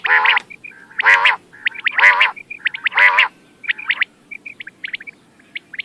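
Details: Quail calling, a recording used for night-time hunting: four harsh, nasal bursts about one second apart, with quick high chirps between and after them.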